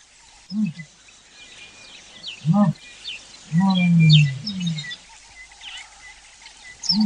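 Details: Common ostrich giving deep, low grunting bursts, one drawn out for over a second, spaced a second or two apart, with small birds chirping and twittering high above.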